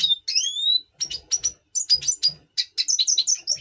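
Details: Breeding-mood song of a double pastel red siskin, November 2023, just before breeding: two long thin rising whistles open, followed by quick bursts of high chirps and buzzy twitters.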